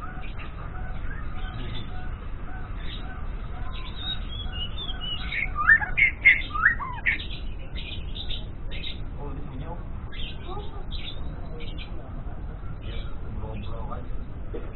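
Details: Morning practice song of a young white-rumped shama: rambling, uneven strings of chirps and tweets with a louder burst of sharp notes in the middle, over continuous low-pitched hum.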